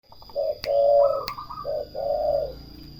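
Turtle dove purring softly: deep, rolling 'turrr' phrases, two or three within three seconds. A faint steady high whine and a couple of sharp clicks sit behind.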